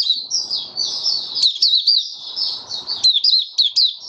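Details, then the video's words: Opening song of a white-eye, dated 08-01-2022, while the bird works back into form: unbroken high, rapid chattering twitter with quick slurred notes and sharp accents, soft background hiss. "Mata Puteh Raja Stablizing his form buka sing 08012022"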